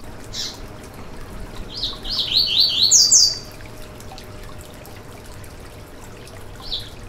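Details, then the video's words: Yellow-bellied seedeater song, played to stimulate a caged bird to sing: a quick run of high, sliding whistled notes lasting about a second and a half, framed by single short chips before and after, over a soft steady hiss. "Canto para foguear e esquentar seu COLEIRO BAIANO - 2022 - Piado e Canto"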